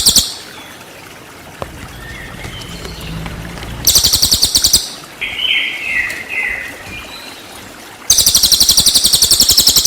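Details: Cililin used to train white-rumped shama: after a quiet stretch with low hum, a short burst of rapid high trilling, then soft warbled whistles, then another fast pulsed trill starting.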